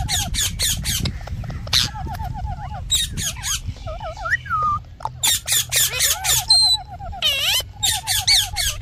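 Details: Parrot in a varied run of harsh squawks, rapid trills, warbling wavy notes and short chirps, with brief quieter gaps between bursts.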